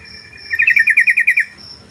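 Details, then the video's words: Yellow-vented bulbul song used as a master recording to lure other bulbuls to call; a quick bubbly run of about nine repeated, slightly wavering notes in under a second, then quiet. "Trucukan Gacor Untuk Masteran_Burung Trucuk"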